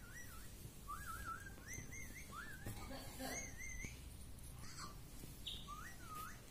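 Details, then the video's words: Pet parrot saying "mummy": short wavy, whistle-like voiced phrases around the middle range, repeated roughly every second, quiet against a low steady background hum. "mummy bolne wala tota - मम्मी बोलने वाला तोता"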